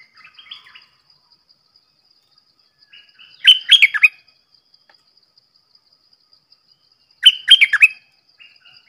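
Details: Red-whiskered bulbul singing: two short bursts of rich, bubbling whistled notes about four seconds apart, each a quick run of four or five rising-and-falling phrases, with faint chatter at the start and a steady thin high tone throughout.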